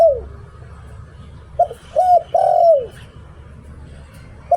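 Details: 'Liu Tan' song of a spotted dove kept as a decoy in Thailand: a trailing falling coo, then a full phrase of a short coo, a rounded hoot and a long sliding coo, and another short coo starting at the end.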